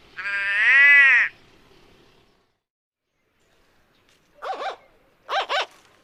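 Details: A White-bellied Go-away-bird, an arid-savannah turaco usually in small groups, gives one long, nasal, bleating 'go-away' note, then after a pause two short, yelping double notes that rise and fall.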